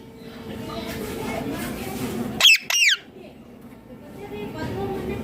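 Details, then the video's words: Indian ringneck parakeet calling: two loud, harsh squawks in quick succession, each sliding downward, over a low background hum and faint voices. "Parrot Calling Sounds ||Ringneck Parrot Natural Voice"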